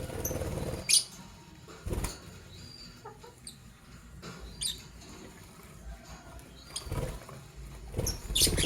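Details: Morning chirping from lovebirds, green Fischer's and pastel blue: short high squeaky chirps scattered irregularly, a few clustered near the start and end, mixed with dull thumps and cage rustling.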